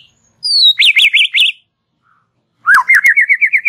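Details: White-rumped shama in relaxed chatter meant to prompt young birds: a descending whistle and a choppy burst of zigzag notes, silence, then a rising slur into a rapid string of wavering whistles, with clicks.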